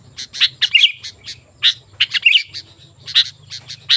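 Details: Sooty-headed bulbul in full voice, played to attract wild birds: clusters of crisp chirps mixed with brief bubbling warbled notes, bursts spaced unevenly over four seconds, steady low hum in the background.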